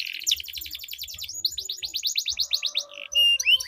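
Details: Two canaries competing in long rolling song, used as a training lure for contest birds: dense fast high trills, a steady chain of sweeping notes, then lower wavering tones and a bright upslurred whistle.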